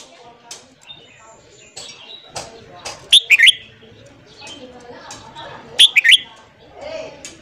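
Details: Red-whiskered bulbul singing at morning, meant to fire up wild-caught birds: two short, bright warbled phrases about three seconds apart, over low background chatter.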